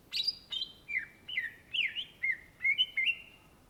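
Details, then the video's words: Cucak ijo, the greater green leafbird native to Indonesia, in energetic gacor song: a steady run of about ten slurred whistles, some rising and some dipping, delivered two or three per second. "SUARA BURUNG CUCAK IJO GACOR , TELER"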